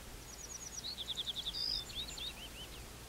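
A little bunting sings a brief, high, thin phrase of quick tinkling notes that runs into a slightly buzzy flourish, over a soft outdoor hiss.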